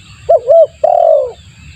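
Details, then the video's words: Single lure-call phrase of a spotted dove, used to attract other doves: a quick pair of low, rounded coos, then one longer mellow coo sliding downward in pitch, over a soft low rumble. "suara pikat tekukur bagus untuk pancingan"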